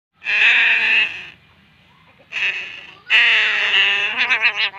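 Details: Crow chick begging while being fed; loud, harsh, nasal drawn-out cries about a second long, a shorter one, then a long wavering cry breaking into quick pulses, close and clear.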